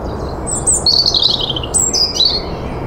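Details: In spring, a European robin delivers a high, liquid phrase of descending warbles, pauses briefly, then continues with more thin, wavering, falling notes over a low background murmur.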